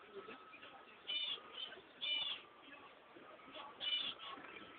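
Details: Cream Java sparrow chicks, part of a brood of eight born indoors at home on 20 March, filmed on a mobile phone: short high buzzy bursts repeated every second or so over a faint steady hum.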